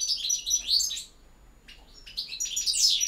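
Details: Short stretch of European goldfinch campero song: a bright twittering phrase ending in a curled note, a brief gap, then another quick rush of tinkling, high chirps.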